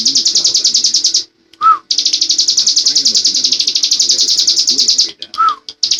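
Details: Bar-winged prinia delivering its continuous 'ngebren' song, long sustained bursts of quick high buzzy pulses broken by short pauses and single lower slurred whistles, then the rapid trill starting again.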